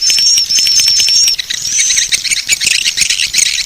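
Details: Swiftlet lure call used to attract swiftlets: dense, high, buzzy twittering chatter. A thin, steady whistled tone runs above it for the first second or so, then dissolves into rapid scratchy chirps.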